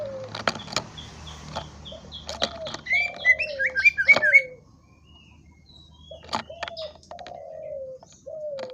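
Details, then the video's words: Greater green leafbird song mixing high chirps and a lively tumbling phrase of whistled notes, with soft lower slurred whistles before and after, and sharp clicks throughout. "KICAU BURUNG CUCAK IJO"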